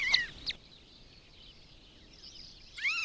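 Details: Long-legged buzzard at its nest in the Republic of Kalmykia, filmed close up with an action camera: a harsh, arched, harmonic call opens the recording and another returns near the end, with faint hiss in the quiet gap between.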